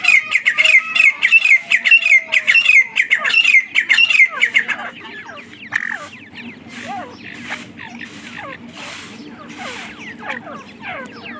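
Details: Partridge (teetar) calling loudly: rapid, repeated scratchy notes in a fast run lasting about four seconds, then quieter scattered chirps and squeaks from other birds over a soft background.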